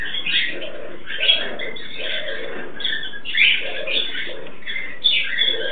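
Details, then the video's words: Mating pair of captive Turquoise-fronted amazons, harsh squawks and nasal grating phrases in bursts roughly every second, each paired with a lower murmuring note. "Amazona aestiva cruzando / parrot aestiva mating"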